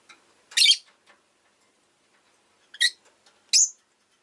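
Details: Rosy-faced lovebird giving loud, harsh, high chirps: one long rasping burst, then two shorter squeaky chirps about a second apart, with silence between.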